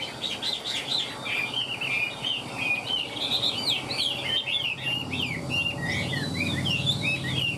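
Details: Chinese hwamei with fanned tail, flicking its wings while singing: a dense, continuous run of loud, varied whistled phrases, rising and falling slurs tumbling over one another without pause, with a faint low hum beneath.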